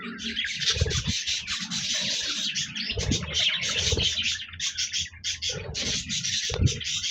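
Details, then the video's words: Many budgerigars recorded on 26 January 2024 pour out a thick, noisy chorus of buzzy warbles and chirps, mixed with frequent low thuds and shuffling noises. "Budgies Birds Singing Chirping Sounds Parakeets sounds"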